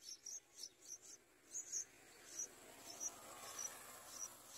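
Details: Thin, very high peeps from yellow bulbul nestlings begging as an adult brings food, short and uneven, about one or two each second over a soft background hiss.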